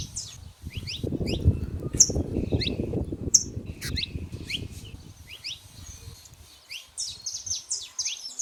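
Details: Saffron finches in the wild giving sharp, high, rising chips and short twittering phrases, several birds overlapping, with a heavy low rumble of background noise during the first half.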